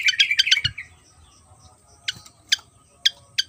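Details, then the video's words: Javan fantail opens with a quick cluster of loud bright chirps, then pauses before single sharp clicks spaced about half a second apart, with a faint low hum throughout. "burung SIKATAN JAWA//SIKATAN KIPAS gacor"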